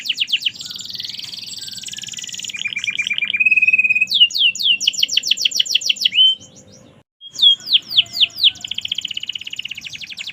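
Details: Merlok canary singing gacor: buzzy high trills, a series of steady mid-pitched notes, a quick run of downslurred sweeps, a brief pause, then more downslurs and a dense trill.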